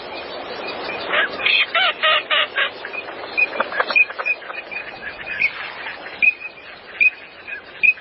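Green-winged teal giving a quick run of buzzy, rattling notes, then clear, high whistled peeps spaced about a second apart, with faint background chatter.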